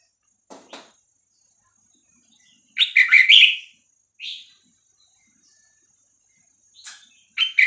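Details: Red-whiskered bulbul, Vietnamese type, 3-4-5-6-7 song played to teach young birds and excite them: soft clicks, a loud warbled burst of rising and falling whistles, a single short note, then clicks and another brief phrase.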